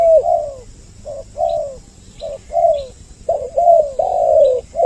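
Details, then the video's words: Spotted dove lure call meant to draw in males and females, two birds calling together: low cooing notes in short and drawn-out downslurred phrases, coming in overlapping bursts with faint hiss behind. "Suara Pikat burung Tekukur Mp3 Doble Suara Paling Ampuh jantan betina Mendekat"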